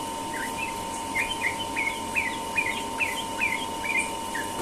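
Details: Sooty-headed bulbul singing its rapid 'ropel' style morning song in Indonesia: a quick run of short chirpy, slurred notes, about two or three each second, over a steady electrical hum.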